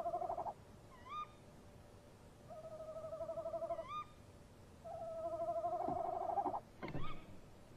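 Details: Male and female tawny owls answering each other at a nest box just after 3 a.m. in late March 2015, the female landing on a branch: three wavering male hoots alternate with two sharp rising female kewicks, ending with a short harsh burst.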